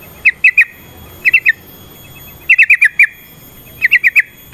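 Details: Yellow-vented bulbul song used as a fighting provocation: bright clusters of three or four quick liquid notes, spaced by pauses of about a second, over quiet background noise.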